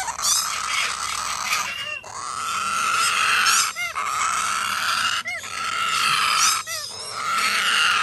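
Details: Chick of Major Mitchell's cockatoo giving long grating, hissy rasps, each lasting over a second and separated by short breathy gaps.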